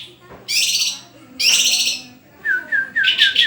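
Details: Vigorous white-rumped shama singing: two long harsh buzzy bursts separated by a pause, then a run of falling slurred whistles mixed with bright repeated high notes.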